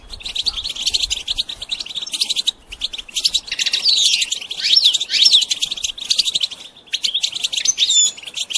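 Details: Goldfinch song played to train songbirds: a dense, continuous run of high twittering chirps and buzzy trills with brief pauses near the third and seventh seconds, a few sharp whistled slurs toward the end.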